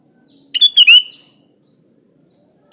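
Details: Sooty-headed bulbul in gacor song with natural isian: one bubbly phrase of tumbling slurred notes lasting about half a second, followed by quiet, then the start of another phrase.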